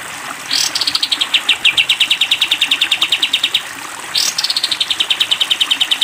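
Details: Sooty-headed bulbul, long 'tembak' song on a training recording for cage birds: two bursts, each opening with a sharp upward sweep and running into a long string of quick, high, slightly descending notes.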